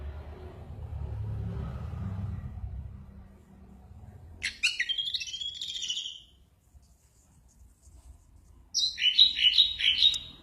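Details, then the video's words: Anis merah, the Orange-headed thrush, singing in a heavily 'drunk' (mabuk) state: a low background hum, then a burst of buzzy descending notes, a silent gap, and a final rapid run of repeated high twittering notes. "Burung anis merah mabuk berat"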